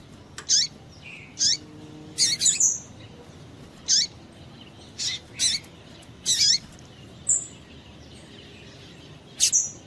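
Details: Female double-collared seedeater giving calls meant to excite males: clipped, very high chips, sometimes doubled, roughly once a second with gaps. A faint hum is in the background.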